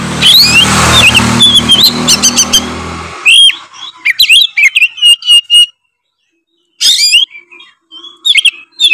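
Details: Oriental magpie-robin in gacor ngeplong singing, meant to rile other magpie-robins. Steady broadband noise covers the opening three seconds, then clear whistled and chirped phrases come in bursts separated by a short silence.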